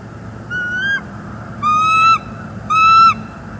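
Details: Bald eagle pair on a nest in northeast Florida, caught on a live nest cam one November morning while bringing in sticks; three clear, high, slightly rising whistled notes, each about half a second long, separated by short pauses.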